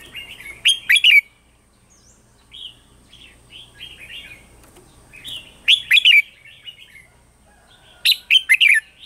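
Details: Red-whiskered bulbul singing in the morning, bright, bubbly phrases of warbled notes repeated every few seconds.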